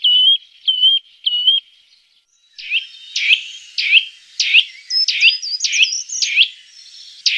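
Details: A Eurasian nuthatch opens with three clear, level whistled notes, then gives a loud run of sharp, ringing 'chwit' calls about twice a second. This is a lure call used to attract nuthatches.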